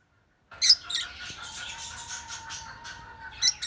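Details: Lutino African lovebird calling: a burst of harsh, high chattering squawks at the start, then continuous buzzy chatter over a steady low hum, ending in a few sharp chirps.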